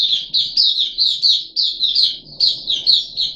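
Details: Caged puff-backed bulbul on its third day of deworming treatment, recorded 14 July 2021: bright chattering phrases of quick, slurred high notes, repeated in bursts about every half second with short pauses, over faint low background hum.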